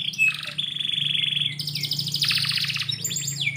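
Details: A canary sings indoors at morning, a sharp note leading into a steady buzzy trill, then a harsher rolling rattle and scattered quick chirps, with a soft low hum behind.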